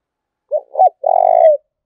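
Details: Close spotted dove coo for provoking a fight: one soft low note, a stronger bent note, then a long, steady, pulsing purr ending slightly lower. Nothing else is audible.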